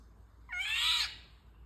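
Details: A single nasal, grating mew from an Indian golden oriole, rising slightly and fading after about half a second, over a low hum.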